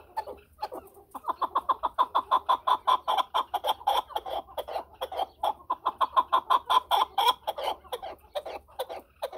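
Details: Rapid, rhythmic chuck-chuck notes from a chukar partridge, repeated in a steady rolling series for several seconds.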